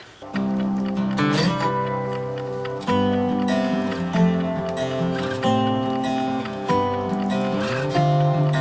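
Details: Plucked acoustic guitar music plays in steady chords throughout, with no animal voices audible.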